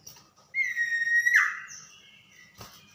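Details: Common iora, a tame bird, singing energetically at night: a single sustained level whistle lasting under a second, then sliding sharply downward, followed by a softer lower whistle and a click.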